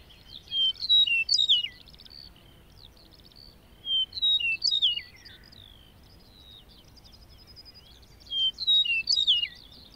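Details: A lark in meadow grassland sings high, rapid phrases of liquid warbles, trills and sharp slurred notes, in bursts about every four seconds; faint background hiss.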